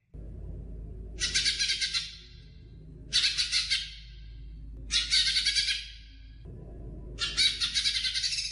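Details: Greater green leafbird song used as a training recording for other birds: four bursts of harsh, scratchy chatter, each about a second long and spaced roughly two seconds apart, over a steady low hum.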